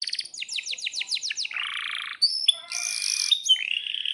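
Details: Canary chirping and rolling to lure other canaries into singing: a run of rapid sweeping whistles, then a low buzzy trill, followed by high rattling trills and bright clear whistled notes.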